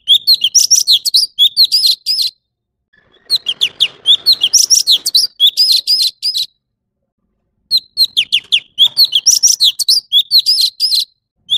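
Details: Male orange-bellied leafbird singing three loud, clean phrases of quick, bright, high chirps and slurred whistles, each about two to three seconds long. Silent gaps separate them, and faint rustling sounds in one pause.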